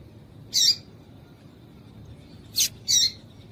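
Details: Female papa-capim call for arousing males ahead of song tournaments; one buzzy high note followed after two seconds by a quick pair of sharp chirps.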